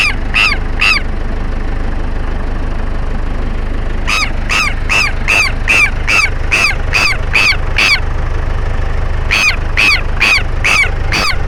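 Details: Southern lapwings confronting an elderly man outdoors, calling loudly: harsh, strident repeated notes in bursts, three calls, a pause, nine in steady rhythm, then five more, over heavy rumbling wind noise.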